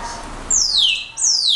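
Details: Brown-backed solitaire, locally called clarín, giving two loud, pure descending whistled slurs, each sliding steeply downward over about half a second, separated by a brief pause.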